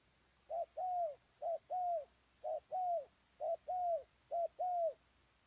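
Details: Decoy spotted dove calling on the ground to lure wild doves: clear low coos in pairs, a short note then a longer, slightly falling one, repeated about five times over five seconds against a quiet background.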